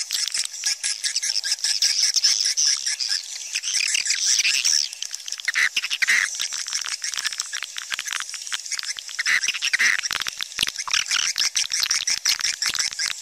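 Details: Swiftlets calling in a dense, unbroken wash of high chirps and fast ticking rattles that keeps up steadily throughout.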